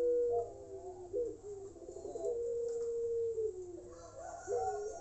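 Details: A ringed Barbary dove (long-voiced puter pelung) gives long, low, drawn-out coos: rolling, throaty notes that swell and hold steady, then break into a fresh rising coo.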